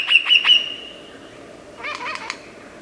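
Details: Lyrebird, an Australian forest bird famed for imitating other sounds, delivers three loud sharp high notes in quick succession, a pause, then a cluster of harsh buzzy rattling notes.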